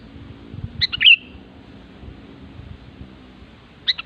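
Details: Sooty-headed bulbul in the wild giving a quick chirpy phrase of several bright notes ending in a slurred whistle, then another starting near the end, against noticeable low rumbling background noise.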